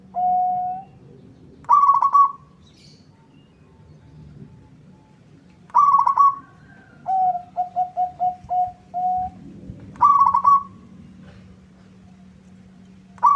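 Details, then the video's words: Singing local zebra dove provoking a rival to respond: rolling trills recur roughly every four seconds, once followed by a string of quick, even coos; faint steady hum underneath. "Suara perkutut lokal gacor bikin nyaut lawan"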